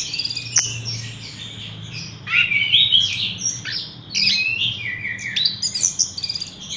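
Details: Horsfield's bush lark kept in a cage and hung up straight away, producing high scratchy chatter and twittered whistles in two main bursts, with sharp slurred notes and a faint background hum.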